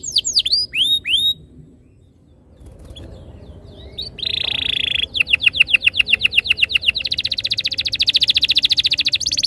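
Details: Canary song recorded as a lure to get canaries singing with long rolls: opening sweeps, a near-silent pause, a buzzy held note, then trills accelerating into a dense rolling chatter.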